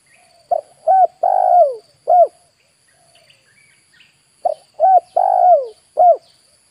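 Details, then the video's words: Lure spotted dove cooing for wild birds. Two gentle phrases about four seconds apart, each a short note, a slurred rising-falling note, a longer falling note and a final short coo, with faint chirping between. "DERKUKU/TEKUKUR PIKAT"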